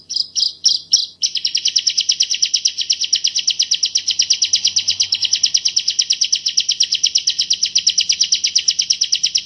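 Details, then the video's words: A 'masteran' training song of the bar-winged prinia, known locally as ciblek Jawa. A few separate sharp chirps lead into a long unbroken rattle of very fast, high, clear notes in tight 'tembakan' bursts. "Burung Ciblek Jawa Masteran Gacor Tembakan Rapat Jernih"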